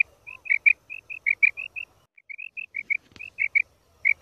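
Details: A female quail, recorded as a hunting lure, gives quick, high chirping notes, about four a second, in short runs broken by brief pauses. A faint click is heard midway.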